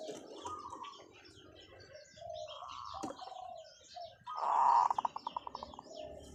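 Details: Zebra dove decoy bird with long calls: mixed chirping from other birds, then a loud cooing phrase that dissolves into a rapid string of short pulsed notes near the end.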